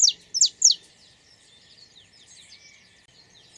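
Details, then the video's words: Saffron finch (Canário da Terra) singing in nature: three sharp, high, steeply falling chirps in quick succession, a faint twittering pause, then another bright chirp at the end. "Som do canto do pássaro Canário da Terra"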